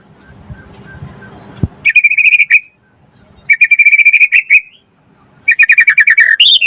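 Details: White-rumped shama song played to provoke other birds into singing: three loud bursts of rapid repeated chattering notes, a rattling phrase then a rising whistle at the end, after a quiet start with faint background noise.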